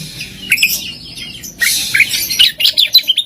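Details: Oriental magpie-robin (kacer) in full competition-style song with fill notes and bursts: bright chirps and harsh buzzy phrases, quiet at first, then a dense run of high twittering notes.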